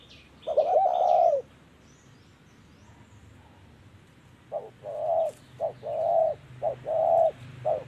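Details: Spotted dove in decoy trapping, one long low coo then a run of short repeated coos, with faint twittering of other birds.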